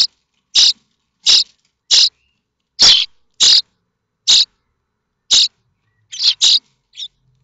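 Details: Five 9-day-old common starling chicks in a nest at Théding, 7 May 2024, give harsh, hissing rasps, about ten short bursts at a quick, slightly uneven pace, as they scramble for a parent's food and one chick is accidentally pushed out; quiet gaps.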